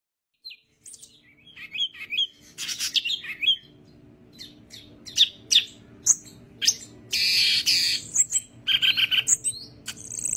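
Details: Yellow-headed greater green leafbird singing vigorously with spread wings; varied high chirps, slurred whistles and harsh buzzy bursts in quick, irregular sequence, with a broad rasping phrase near the middle and end.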